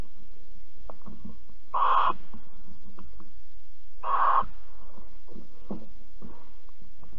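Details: Barn owls at Alphen on 22 April 2020, mating and cuddling: two strong harsh hisses about two seconds apart amid faint scratching, clicking and a low hum.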